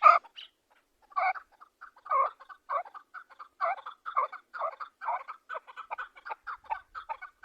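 A chukar gives harsh, throaty clucks. They start spaced out, then speed up into a rapid, rhythmic series of chuk-chuk notes, about three per second, with nothing else heard.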